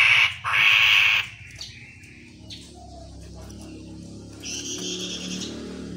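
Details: Lure recording of a vigorously singing chestnut-capped laughingthrush meant to make others answer: two harsh grating bursts, short whistles, then a steady buzzy harmonic note, over faint background hum.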